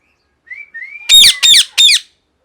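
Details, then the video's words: Loud parrot screaming: two thin rising whistles, then three harsh, very loud squawks about half a second apart. "Loud Parrot Noise #1 | Natural Parrot Sounds | Parrot Calling Sounds"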